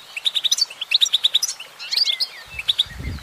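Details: Female goldfinch twittering in quick chirp series with a twangy upward whistle, ending over a low rumbling noise.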